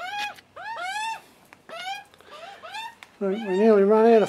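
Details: Hungry juvenile Australian magpies begging for food on their first visit, with the nervous, cautious adult male father nearby. Harsh screaming notes with rich overtones sweep up then down in quick bursts, followed by a lower, drawn-out wavering squawk.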